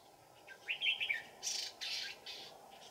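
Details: Red-whiskered bulbuls at a trap deep in the mountains on a cold afternoon, 15 December 2018. A brief burst of bright warbled notes is followed by harsh, noisy rustling bursts.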